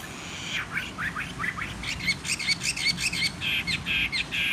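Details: Wild-caught fighting Chinese hwamei, caged for three seasons, singing spread out on a table with a slightly hoarse voice: quick downslurred whistles give way to a fast run of repeated bright, buzzy-edged notes.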